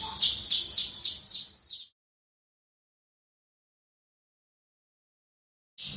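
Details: Javan bush lark, a kept bird, singing its crystal gacor song at a distance: under two seconds of fast, high, pulsing chirps before the recording falls silent, with a brief final note at the end.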